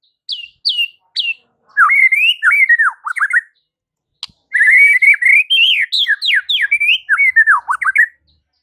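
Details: White-rumped shama in morning song meant to draw replies from rival shamas: a few high sharp whistles, then long fluent runs of loud melodious warbles and slurred notes, varied and nearly continuous.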